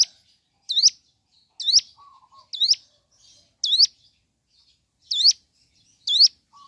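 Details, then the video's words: Ciblek gunung in the morning giving single sharp, high, hooked chirps about once a second with gaps between, and brief lower whistles in between. "Suara Asli Ciblek Gunung Gacor Pagi Hari"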